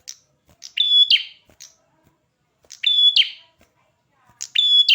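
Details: Prinia singing energetically: three loud, high phrases in five seconds, each a short buzzy note followed by a clear, steady whistle with a rasping edge, separated by brief ticks and silence.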